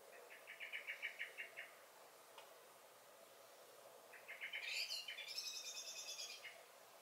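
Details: Blackbird in a garden in May 2021 gives a string of repeated sharp chink alarm notes, goes quiet, then launches into more chinking that runs into a high, strained squeaky phrase.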